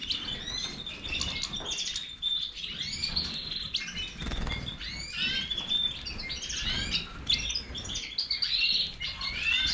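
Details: European goldfinch, Major type, pouring out a long rambling song of sharp upward-slurred chirps and tinkling twitters, with faint low background rumble.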